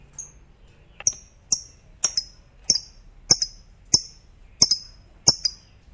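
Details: Fighter lovebird, the kind whose long 'ngekek' trill is said to set others singing, here giving single sharp, high chirps repeated roughly every half second to second, with quiet gaps between them.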